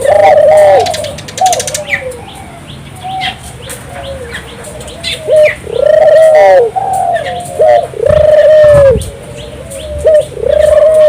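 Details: Turtle dove song (burung puter gacor) meant to prompt local doves to coo. Cooing phrases follow one another over eleven seconds, each a quick rising note and a rolling held coo. Chirping birds and brief fluttering sounds fill the background.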